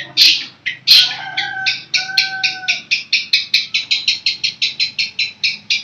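Long-tailed shrike giving two harsh, loud notes, then a fast run of about twenty scratchy, chattering chips at roughly four per second; a faint low whistle underneath.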